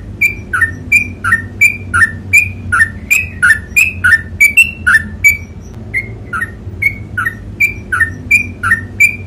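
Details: Long, fast 'ropel panjang' singing from a sooty-headed bulbul, about three whistled phrases a second for over nine seconds, each a low note flicking up to a higher bright tone, with a brief lull partway and steady low hum behind.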